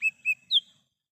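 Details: Lesser green leafbird in the wild, song usable as a lure: two clear mid-pitched slurred whistles followed by one higher, sharply falling whistle.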